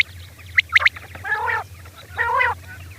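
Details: Female quail at night: a few sharp high chips followed by two drawn-out nasal, harmonic, buzzy notes, with a quiet low hum in the background.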